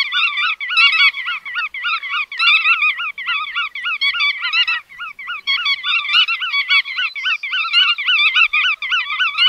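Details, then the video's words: Bar-tailed godwits in an unbroken, busy chorus of yodelling nasal calls, steady loudness throughout with only tiny dips between phrases. "Tiếng Chim Choắt Đuôi Vằn"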